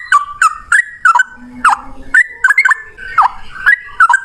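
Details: Male yellow-vented bulbul in fighting 'ropel' song used to coax other bulbuls to sing: separate bubbling, downslurred whistled notes, roughly two per second, with small pauses between phrases.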